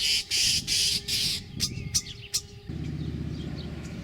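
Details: Common starling feeding its young gives four loud, harsh, raspy bursts in quick succession, then scattered short chirps and clicks, ending in a low rumbling background.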